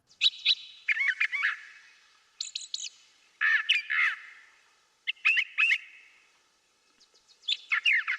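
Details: Brown Thrasher, a typical Eastern Ontario bird recorded along Klondike Road, sings a varied string of loud, rich, chirpy phrases, with many notes doubled in quick succession and brief pauses between groups.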